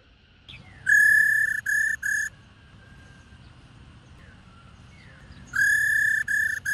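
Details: Calling female black-throated laughingthrush, used to excite males into song. Two bursts of steady, ringing whistled notes, a long one then two short ones, are separated by several seconds of quiet with faint sliding whistles.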